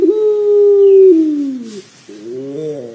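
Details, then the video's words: Pelung dove coo used as a lure recording to get other doves calling quickly: a long, level, low hollow note that slides gently downward, then a break and a second wavering, slightly rising phrase. "PANCINGAN PUTER PELUNG AGAR CEPAT BUNYI"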